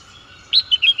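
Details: Red-whiskered bulbul giving a brief series of four clear, rising and falling whistled chirps over a constant faint background tone.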